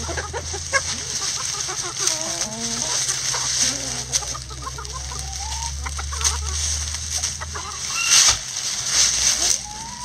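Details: Backyard coop chickens scratching down a pile of leaves: soft, irregular low clucks and murmurs over steady rustling and scratching of dry leaves, with a constant low hum and faint high hiss.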